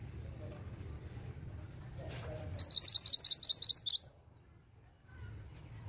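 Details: Female pied bushchat calling to draw a response from males: a quick run of about nine sharp, high, upswept chipping notes lasting under two seconds, then quiet with low background rumble.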